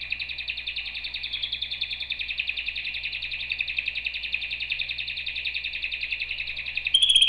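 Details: Canary holding a long rapid roll of evenly repeated notes for nearly seven seconds, then breaking into a brighter, higher, louder trill at the very end.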